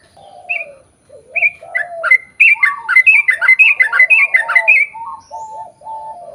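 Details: Sooty-headed bulbul singing a long lure song to draw other birds of its kind into song: rapid tumbling string of bubbly, whistled chirps in the middle, framed by low cooing from a dove.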